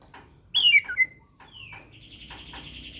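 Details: Oriental magpie-robin song meant to challenge a rival, used to stir silent birds into singing: loud sharp whistled notes sliding downward, followed by a descending slur and a steady buzzy, rattling trill.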